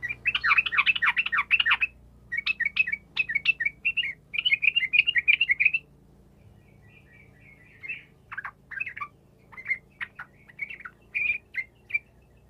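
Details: Yellow-vented bulbul singing energetically, played to spur silent bulbuls to reply: dense, gurgling warbled bursts in quick succession for six seconds, then quieter scattered chirps and short phrases with gaps.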